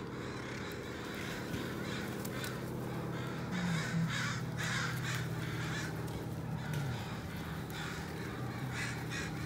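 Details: Northwestern crows called down while flying toward the Still Creek rookery; a crowd of harsh caws overlaps continuously, many birds at once, over a steady low traffic rumble.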